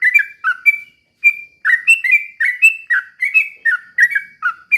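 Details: Sooty-headed bulbul singing a slow rapid-fire 'ropel pelan' style song, used as a lure to make other birds sing: bubbly whistled notes, short rising and falling slurs, tightly repeated with a brief pause.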